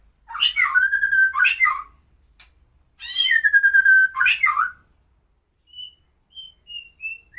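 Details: Medan-type white-rumped shama giving its rough tutor song for training other songbirds: two loud, rich whistled phrases with harsh overtones about a second apart, followed after a gap by several short, thin high whistles.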